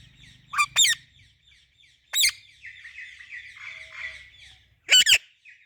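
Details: Parakeets, an Indian ringneck and an Alexandrine parrot, making happy sounds together in the evening: harsh, shrill screeches in short bursts, two near the start, one at two seconds and a double at five, with softer chatter between.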